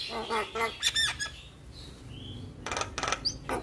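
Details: Javan myna singing as a tutor for young mynas: rapid rasping chatter and squeaky notes, a quiet gap with soft thin whistles, then loud grating bursts to close.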